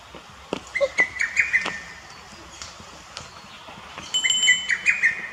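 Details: Singing lesser cuckoo recorded on 21 May 2018 in a botanical garden in Akita City, Japan: two loud, rapid, staccato whistled phrases, likened to 'tokkyo kyoka kyoku' or 'teppen kaketaka', separated by a few seconds of quiet.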